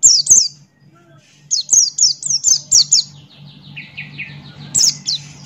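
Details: Buxton's white-eye male in lively 'ngalas' song: fast runs of high, thin, descending chirps, then a lower rattling series of quick notes, and a final high flourish, with a constant low hum behind.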